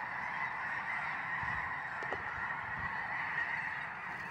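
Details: Flock of snow geese giving a dense, continuous chorus of overlapping honks that blend into a steady nasal roar with no gaps.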